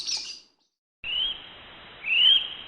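Two shrill, high whistles from a kiwi, the second rising sharply in pitch, after a brief high chirp from another bird at the start.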